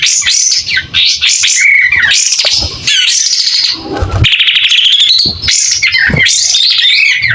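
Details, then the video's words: White-rumped shama with tail opened, singing energetically. Rapid, rich warbled phrases mixed with clear sliding whistles and trills, pausing only briefly between bursts. "Kapas tembak gacor buka ekor.. SUARA JERNIH"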